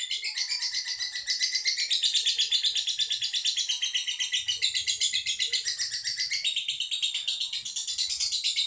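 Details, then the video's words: Long 'ngedur' trilling by a collection lovebird in Boyolali, Indonesia: an unbroken, very rapid, high-pitched chattering buzz throbbing about four times a second for over eight seconds. "Lovebird MONIC : top durasi 1 menit"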